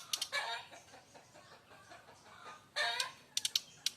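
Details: Bali brown-chested jungle flycatcher, said to be a fighter, producing loud harsh kretekan: two strong rasping bursts separated by quieter chatter, with sharp clicks at the start and end.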